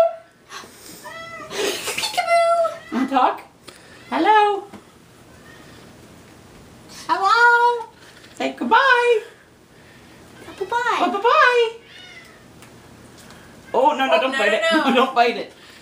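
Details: Captive Moluccan cockatoo indoors, imitating speech in a series of warbling, nasal, rising-and-falling phrases a few seconds apart, some harsh and screechy, with a person's voice saying bye bye in the room.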